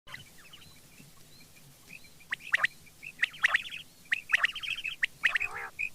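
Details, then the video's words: Quail calling in the morning: after a quiet start, bursts of short, sharp chirps near the same pitch come in quick irregular clusters, with faint low background rumble. "batair Subha ki awaz"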